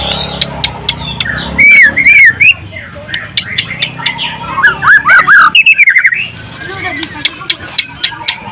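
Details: White-rumped shama, a frequent contest winner: bursts of loud, slurred whistles with quick upward and downward sweeps, separated by sharp clicks and ticks, over a murmur of background chatter.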